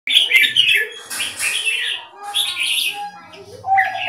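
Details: Red-whiskered bulbul in a singing contest between caged birds: loud, bubbly, warbling phrases in rapid bursts, with a low whistled note near the end and faint voices underneath.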